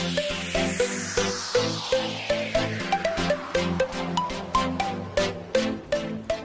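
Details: Electronic dance music with a pulsing beat and a repeated synth melody, and no animal voices.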